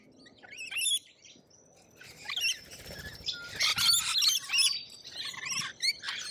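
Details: Lorikeets in Australia giving shrill, screechy chatter in bursts, with a brief high squeal early, a quiet gap, then rapid overlapping shrieks.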